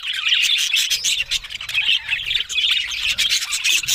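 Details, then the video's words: Budgerigars in a busy, squeaky warble, the Australian parrots' notes rising and falling quickly with short squawks and little gaps. "Beautiful Talking Budgies Australian Parrot Sounds"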